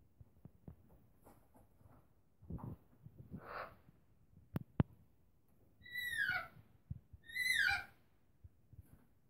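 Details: Two rainbow lorikeets exploring a cave: soft scratching and tapping, then two loud, harsh, screechy calls sweeping downward, about a second and a half apart, near the end.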